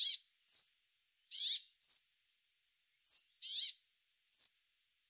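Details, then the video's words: A Brambling, a winter visitor to the UK, gives short, clipped calls in pairs, a harsh rasping note then a sharp high chip, repeated roughly every second and a half against quiet. "The Brambling Calling"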